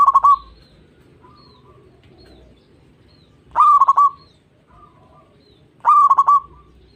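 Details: Perkutut (zebra dove) singing to stimulate other doves: three short phrases of quick, stuttering coos, each about two and a half seconds apart, separated by quiet gaps and faint softer notes.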